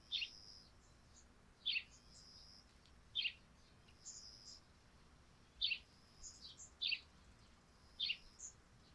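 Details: Sparrows on a thatched roof wet with morning dew, sounding six or seven short chirps spaced roughly a second or more apart, with a few fainter notes between.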